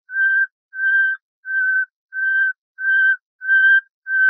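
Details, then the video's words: Common nightingale, Luscinia megarhynchos, song used as a tutor tape for bulbuls: a series of level, pure whistled notes repeated steadily about every 0.7 seconds on a silent background. "شريط تغريد طائر العندليب لتلقين البلبل المغربي CD chant rossignol philomèle pour bulbul des jardins"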